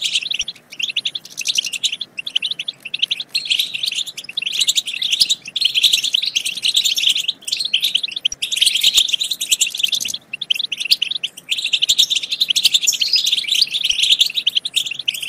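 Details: Continuous high twittering of European goldfinches, played to encourage goldfinches to sing and breed: busy overlapping chirps and trills running almost without break, with short dips in loudness every few seconds.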